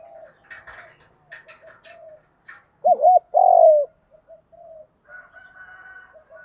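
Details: Spotted dove cooing to stimulate other doves, with both female and male voices included: a single loud phrase of a wavering double note and a long, buzzy, falling coo, amid softer background coos and chirps from other birds.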